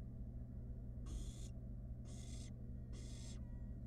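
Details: Three evenly spaced, raspy hisses, each about half a second long, from a wild barn owl nestling toying with food brought by its mother in a nest box; low hum throughout.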